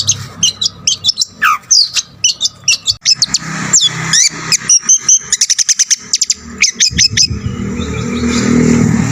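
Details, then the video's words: Lively Long-tailed shrike song full of mimicked fills, used to stir up other shrikes: varied whistles and a falling slur, then a dense volley of rapid clicking notes, with low background noise. "BURUNG CENDET GACOR FULL ISIAN,SUARA COCOK BUAT EMOSI CENDET LAIN"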